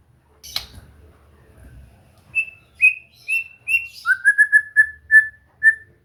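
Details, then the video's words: Training song of a white-rumped shama, aimed at getting a bird to sing and turn gacor; after a soft knock and quiet rumble, steady repeated whistles, then a quick rising run of short bright notes. "Latihan santai untuk murai batu AGAR MAU BUNYI dan GACOR"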